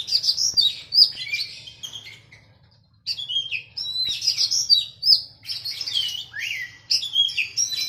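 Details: Oriental magpie-robin song used to train a captive bird, contrasted with a sooty-headed bulbul: loud, rapid, varied warbles and sweet whistled slurs in long bursts, one brief silent gap midway.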